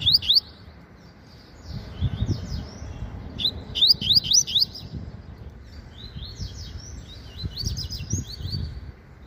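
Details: Double-collared seedeater (coleiro papa-capim) kept in a cage, a promising young bird in meio canto style, singing busily: bursts of quick, high, rising notes repeated in clusters, with softer buzzy trills between and low rumble below.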